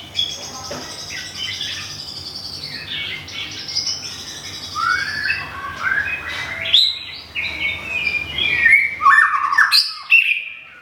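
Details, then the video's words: White-rumped shama from Thung Song, Thailand, a moulting bird recently moved to a new home, singing varied rich whistles and warbled phrases, rising and falling, growing louder and more complex toward the end. "บินหลาดงทุ่งสง shama bird murai batu thailand"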